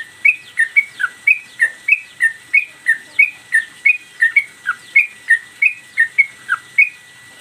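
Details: Caged sooty-headed bulbul in lively, continuous song, a training master recording of one song with tail play: a steady stream of loud clear whistles, pitch stepping up and down, about three notes each second.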